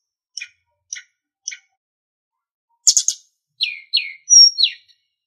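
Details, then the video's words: Training master of a Sunda bush warbler for caged songbirds: three soft spaced chips about half a second apart, a pause, then a loud rapid stutter and several falling whistled notes. "Masteran Terbaik Sulingan | Song 2"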